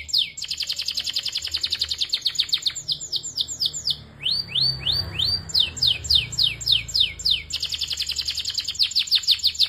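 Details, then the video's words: Belgian canary singing a rapid high trill, then rising and falling whistled slurs in a slower series, before returning to fast repeated notes. "canário belga cantando muito um show de canto"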